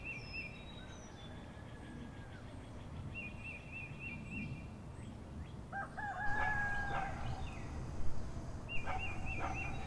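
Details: Rural English countryside morning with a rooster giving a loud, harmonic crow partway through, then the start of another near the end. Earlier come faint level whistled notes and scattered high bird chirps over a constant low background hum.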